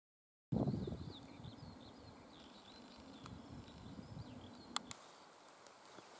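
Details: High on Super Besse, an active Northern wheatear that keeps flying off and coming back to the same spot gives a quick run of thin, high twittering notes after a loud knock, against a steady low wind rumble.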